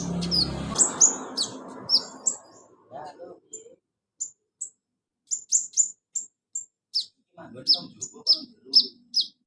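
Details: Olive-backed sunbird, played to spur a silent caged bird: a run of high piercing chirps and short whistles, roughly one or two per second, with a brief low noise at the start and a faint murmur midway.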